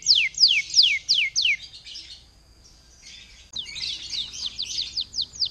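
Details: Canary song meant to prompt other canaries to sing: four loud, clear, downward-sweeping whistles, then a softer buzzy passage, a pause, and a burst of quick mixed sweeps and chips.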